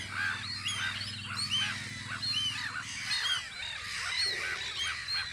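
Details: On Audru polder in spring, gulls at a guard post keep up a busy mix of curved, wailing calls about once a second, with a low hum fading out midway.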